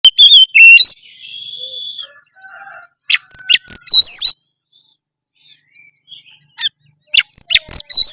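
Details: Oriental magpie-robin singing in a loud, active style: sharp high chirps, whistled notes and rapid scratchy phrases in bursts, with a softer buzzy warble and short pauses between bursts.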